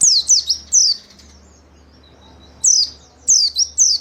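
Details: Caged-bird training song of a white-eye: bright, high-pitched downslurred chirps in a short burst, a pause of about one and a half seconds, then several more thin falling chirps in quick succession.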